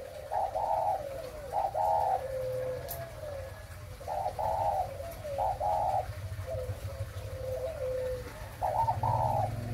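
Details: ["Spotted dove ('mã phân hồng' type), breeding, cooing in paired phrases: a brief note, then a longer vibrating coo and a fading tail. The phrases repeat every couple of seconds over a faint low rumble."]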